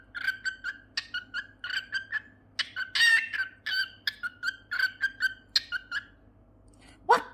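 A cockatiel sings a quick run of bright, chirpy whistled notes in short repeated bursts.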